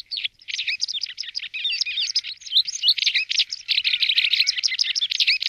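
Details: Pied wagtail in Alamillo Park, Seville, Spain, gives a dense, continuous run of high, sharp twittering chirps with no pause; no other sounds stand out.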